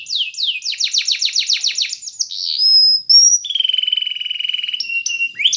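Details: Spanish Timbrado canary singing, a recording meant for training a silent canary: rapid repeated downward slurred notes, then thin pure whistles held high, and a long even rolling trill before short sharp rising notes.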